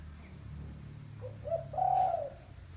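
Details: Spotted dove lure call, a single phrase near the end: two brief soft coos leading into a longer mellow hoot, with low background hum and a faint click.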